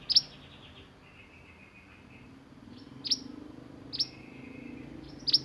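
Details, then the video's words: Sunbird singing the lively 'roll nembak' type: spaced, very high, sharp whip-like chips about once a second, with softer twittering trills between them against a quiet background. "Burung mantenan gacor roll nembak untuk masteran"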